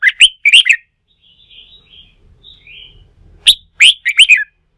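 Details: Wild-caught red-whiskered bulbul being stirred up for fighting-song training: a loud chirpy phrase, a pause with soft warbles, then another rapid burst of bright whistled notes.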